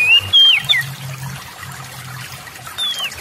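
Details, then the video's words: Oriental magpie-robin song played to provoke lazy, silent magpie-robins into singing: a few clear whistled notes, one sliding down, another rising, with short gaps and a low hum underneath. "TERAPI PANCINGAN SEMUA JENIS KACER AGAR CEPAT GACOR, ,YANG MALAS BUNYI LANGSUNG GACOR"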